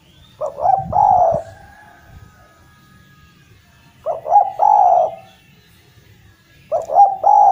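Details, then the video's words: Javanese Eurasian collared dove calling steadily, recorded to spur stalled doves into song; three repeated phrases, two brief hoots leading into a long smooth coo, about every three seconds against a quiet backdrop. "Derkuku jawa gacor mampu mengatasi derkuku macet bunyi menjadi gacor kembali dan rajin bunyi"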